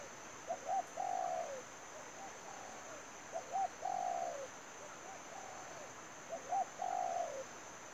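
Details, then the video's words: Trapping decoy spotted dove calling in regular phrases roughly every three seconds. Each phrase has two clipped coos and a long rough coo that falls off, interleaved with quieter coo phrases, over a constant high hiss. "bẫy chim cu gáy. mồi nỡ rùa bay ghi bàn"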